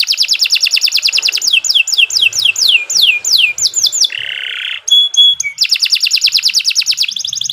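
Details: Long-singing canary used as a master for training song birds; fast rolling trill, a row of downward-sliding whistles, a short harsh buzzy note, then the trill returns.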